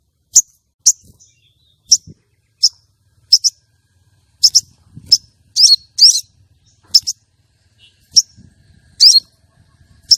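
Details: Common iora female calling as a lure for males kept for contests: irregular series of sharp high chirps and buzzy rasping notes, some given in quick pairs, over faint low rustling.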